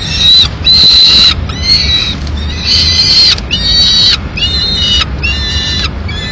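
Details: Peregrine falcon chicks being fed a pigeon by the female in Madrid, 19 May 2016; loud, piercing harmonic wails, some long and level, others shorter and descending, following one another almost continuously.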